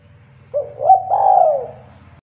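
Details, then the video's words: One cooing phrase from a local spotted dove, played to make young doves call: a short note, a quick upslurred syllable, then a long hoarse coo drifting downward, with a continuous low hum in the background. "Suara Burung Tekukur Gacor , merangsang burung Derkuku Muda agar bunyi"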